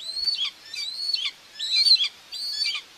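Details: Common buzzard nest cam in Tiszalök, Hungary, June 2, 2024, with the female feeding two chicks. Four loud, high, drawn-out whistles are heard, each level and then breaking downward, with brief silences between them.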